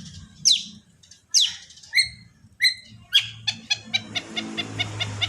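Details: Long-tailed shrike song played so that other shrikes will answer: a few loud, falling whistled notes, then quickening short chips that merge into a rapid, steady stutter.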